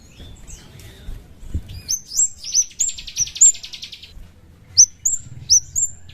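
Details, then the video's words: Chestnut-capped thrush used as a lure for other birds: high, thin upslurred notes in short runs, a buzzy trilled passage in the middle, then three more piercing rising notes over soft low background noise. "Pancingan Ampuh burung kemade auto koar koar"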